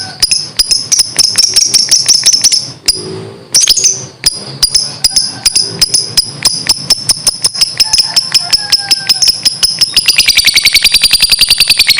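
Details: Rapid, rhythmic jingling strikes like a tambourine, with a steady high metallic ring, speeding into a dense, even roll near the end; no animal voice is heard.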